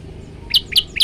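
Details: Tailorbird singing in a lively, varied style: three sharp, high chirps, each a bright note with a lower lead-in, spaced about a quarter second apart over a faint low background hum.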